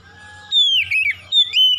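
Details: Oriental magpie-robin, played to provoke other birds into aggressive singing: three loud whistled notes sliding downward with rich overtones, the middle one longer and wavering, over a faint low hum.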